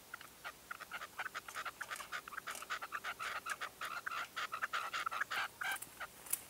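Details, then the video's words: Red-legged partridge decoy calling during a dawn hunting session in 2023: a steady, quickening series of short chuckling notes that builds into denser, louder clucks toward the end. "PERDIZ CON RECLAMO 2023"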